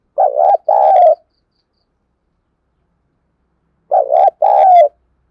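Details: Two deep double coos from a decoy spotted dove, thúc bổi style, used to lure wild doves into cooing. Each is a short dipping note then a longer hoarse one, separated by about three seconds of silence.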